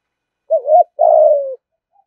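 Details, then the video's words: Spotted dove, caged ornamental bird, in thúc gù cooing: a wobbling short note then a sustained coo sliding gently downward, a single clean phrase. "cu gáy thúc gù"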